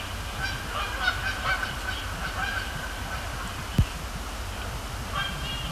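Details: Canada geese at night at Sapsucker Woods Pond, Cornell Lab of Ornithology, in late October; a flock's honks, softer and overlapping in the first half, with a faint call at the end over steady low rumble.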